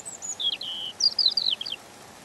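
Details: European robin singing gently: a high thin opening, a warbled middle phrase, then a quick sequence of sliding, sharply pitched notes that descend and stop, followed by soft background hiss.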